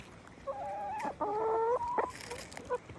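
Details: Hen sounds from chickens being chickens: two sustained, slightly wavering nasal calls in quick succession, then a few soft short clucks amid faint rustling.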